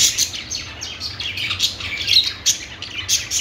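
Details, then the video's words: Budgies chattering with rapid, high chirps and sliding squeaky notes, close and loud, in quick irregular bursts. "budgies singing | budgie sounds | parakeet chirping sounds"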